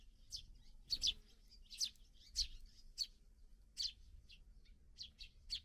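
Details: Young sparrows newly out of the nest call as parents feed them: a busy run of high, sharp chirps, some doubled, about two per second, over low background rumble.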